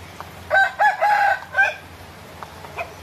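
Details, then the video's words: In a village as rain eases after thunder, a rooster that has begun foraging gives one full crow of four hoarse mid-pitched notes, the third long and level, the last briefly rising, with soft rain hissing behind. "Ayam Berkokok"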